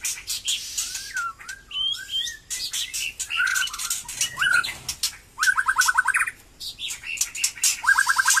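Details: White-rumped shama just coming back into song after moulting: sweeping whistled phrases and rapid repeated note series, over loud high-pitched insect-like buzzing and clicks in the background.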